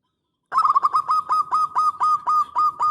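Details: Local zebra dove, a strong singer used to lure other doves into replying, giving a loud cooing song: a rapid pulsed opening, then evenly spaced short coos repeated about five times a second, clear and steady.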